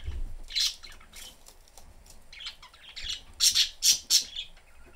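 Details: Chattering of three caged pet budgerigars, a family of father, mother and young, with the cage door open: sharp high squawky chirps in quick uneven bursts, a rapid loud run of three near the end.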